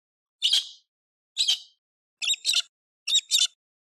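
A galah gives harsh, screechy squawks, single and then doubled, about a second apart.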